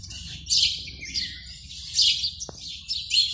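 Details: House sparrow male chirping from a nest box at dawn in February, breeding time, calling for a mate; a quick string of shrill, buzzy cheeps, roughly one every half second, with a faint click near the middle.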